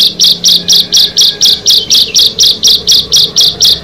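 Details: Ciblek, the bar-winged prinia, one of six featured birds, giving a steady series of short, dry, high notes evenly spaced about four per second, sounding almost like a rattle, with a faint low hum behind.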